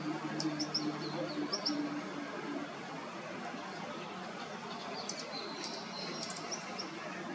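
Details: Perched White-eared Hummingbird, preening and singing on 22 October 2019, gives faint, high, metallic tinking notes in quick bursts over a steady background hiss and a low hum.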